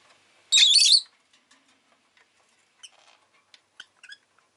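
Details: Rosy-faced lovebird giving one long, loud, grating chirp, followed by scattered faint high ticks and tiny squeaks.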